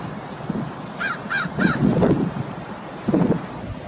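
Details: An American Oystercatcher at Fort Monroe, Virginia, on March 15, 2019, gives three loud, piping notes, each slightly slurred and about a third of a second apart, over a low rumble of wind and surf.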